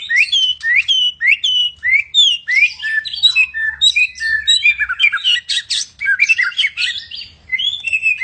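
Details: Lively white-rumped shama song from a Medan bird: upward-sweeping whistles repeated at first, then a dense flurry of mixed whistles, chips and squeaky notes.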